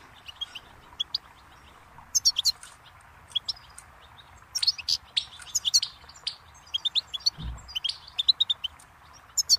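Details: Goldfinch song of scattered sharp high chirps building into denser twittering bursts, with a brief low thump partway through.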